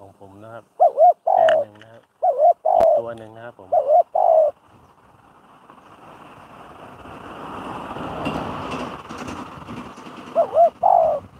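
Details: Spotted dove working as a decoy in trapping delivers a run of mellow coo phrases, paired short notes and a longer coo, then pauses while a rising engine-like rumble passes before cooing resumes.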